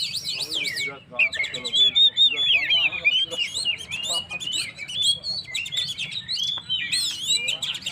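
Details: Oriental magpie-robin in loud, varied song played to provoke stressed birds: rapid swooping whistles, repeated clicking notes and chattering bursts, packed tightly with few pauses.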